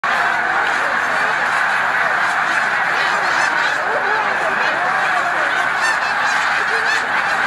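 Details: About 90,000 snow geese roosting on the lake at Middle Creek Wildlife Management Area, Pennsylvania, on 22 February 2020 during migration, make a constant roar of overlapping nasal, high-pitched honks and yelps.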